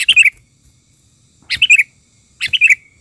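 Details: Sooty-headed bulbul (kutilang) calling fiercely as a lure bird, with wild birds nearby: three short bubbly, slurred phrases, each a quick cluster of rich notes, coming at about 1.5 s and 1 s gaps with silence between.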